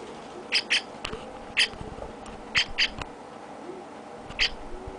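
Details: Young chestnut-cheeked starling with its owner, receiving affection. Its calls are brief and high-pitched, coming singly or in pairs about once a second, over faint handling and room noises.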